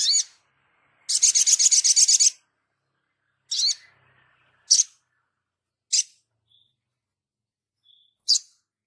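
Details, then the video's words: Crimson sunbird in energetic full song, recorded as a tutor track for training other birds: sharp, very high chirps, a fast buzzy trill lasting over a second, then single piercing notes spaced about a second apart. "Langsung nyaut Sogon gacor ,untuk masteran"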